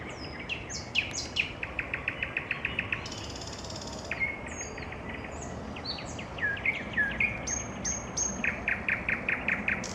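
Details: Evening song of a nightingale: bright high whistles and a quick rattling run of repeated notes, a hissing burst, thin sliding notes, then another fast series of clipped repeated notes.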